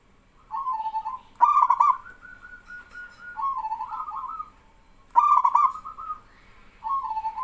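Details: Male local zebra dove (perkutut) singing as other doves answer back and forth: soft wavering coos lead into loud stuttered bursts, repeated twice, with overlapping rolling coos from other birds.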